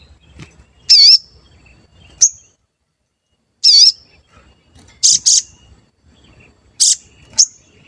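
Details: Lure song of a sooty-headed bulbul for provoking rivals to respond: wavering harsh high phrases alternate with short sharp whistled notes at irregular intervals, some notes in quick doubled pairs, against a quiet background.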